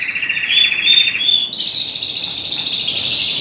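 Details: Morning wake-up chorus in a birdroom of colour canaries and native finches: several cock birds singing together, a dense chorus of bright trills and sustained high warbles with no pauses.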